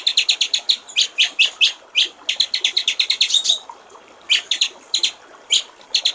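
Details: Clear-voiced white-rumped shama song, 'gericik air' style, used as a master recording for training songbirds; almost continuous rapid high chattering notes run for over three seconds, a short pause, then spaced bright notes return.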